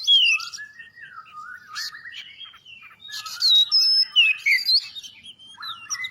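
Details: An Oriental magpie-robin sings to encourage others of its kind to sing, a near-continuous medley of sweeping whistles, slurred notes and fine twittering, growing louder halfway through.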